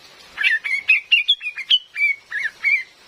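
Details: Female Cream-vented bulbul, recorded as a lure for trapping in forest: a quick run of short, sharp chirps followed by a few longer whistled, slurred notes, with a quiet background.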